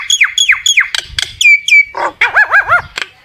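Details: Common myna calling its flock: three curved falling squawks, gruff clucks, two sliding whistles, then a trio of looping gurgled notes.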